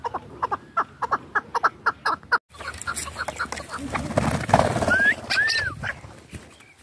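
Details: Hunting chukar partridge from Dashti Jum: a run of short, evenly spaced clucking notes for about two seconds, then a brief gap, rustling noise and a couple of thin rising and arching whistles.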